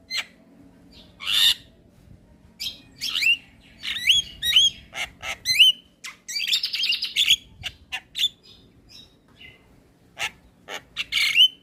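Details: Lively Javan myna song used as a training recording: spaced harsh rasps and sharp rising whistles, a dense buzzy burst in the middle, then scattered squawks.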